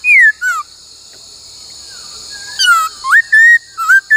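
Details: A laughingthrush, recorded for song training with many voices, gives clear, slurred whistles, some falling and some rising, in short bursts about a second apart, over a steady high buzz of insects.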